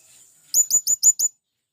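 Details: Single quick series of five sharp, high, slightly downslurred squeaks from a male blue-crowned hanging parrot calling to companions, used to lure wild birds, after a faint thin whistle.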